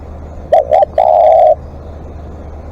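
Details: Spotted dove used as a live decoy in long calling, giving two short low coos and then one long, even, sustained coo, followed by quiet.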